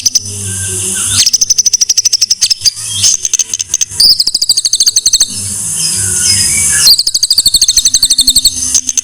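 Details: White-rumped shama masteran training song: bursts of very rapid, evenly repeated ticking notes alternate with long, high, buzzy trills, two trill-and-rattle cycles. A faint low hum runs underneath.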